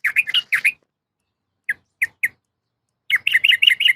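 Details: Calling to a male, a female yellow-vented bulbul gives two chattering notes, then three spaced single chirps, then a rapid, lively run of bubbly, rising and falling notes.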